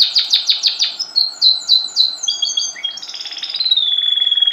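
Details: Canary being tutored to sing by the vertical method, with the tutor bird placed below and the pupils above. It sings a fast run of bright descending chirps, then buzzy rolling phrases ending in a high, rapid trill.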